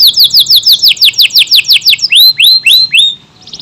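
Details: Energetic AF canary in long-duration song with tight bursts, giving loud swooping notes about five a second, then slower rising whistled slurs before fading out.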